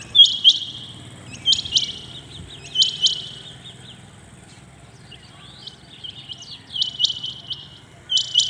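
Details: Early-morning Rain quail: bright, sharp double and triple high notes in irregular bursts, with softer trilled notes between them and a low background hum.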